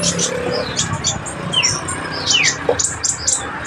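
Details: Konin singing, kept as a master bird for training other songbirds: short, high, sharp chirps and quick downward-sliding whistles, several within a few seconds, over steady background hum.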